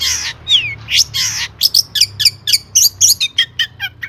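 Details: Long-tailed shrike in lively, varied song meant to stimulate other birds. Two hoarse rasping notes open, then a steady series of short, sharp chirps and whistles, roughly three per second.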